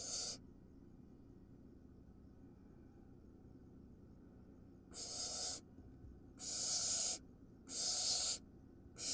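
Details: Wild barn owl nestling in a nest box swallowing a large vole; harsh hissing screeches under a second long, four bursts, three clustered near the end, over a low steady hum.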